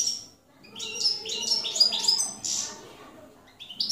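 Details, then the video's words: Goldfinch singing in the campero style, recorded in 2017: a short run of high, twittering chirps and sliding notes after a near-silent start, then a pause and a fresh burst of bright tweets at the end. "jilguero campero"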